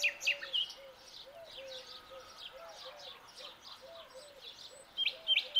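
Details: At dawn a young common nightingale delivers sharp, fast repeated notes at the start and end, with quieter scratchy twitters between, while another bird gives low, short whistled notes in the background.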